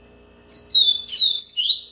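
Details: Short yellow-bellied seedeater phrase: a drawn-out high whistle sliding slightly downward, followed by a busier flurry of sweet, rising notes.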